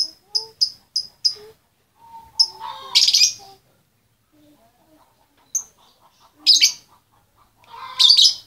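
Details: Female lovebird calling to the male: short high chirps in a quick run, then loud harsh screechy bursts repeated at intervals, with brief soft lower notes between.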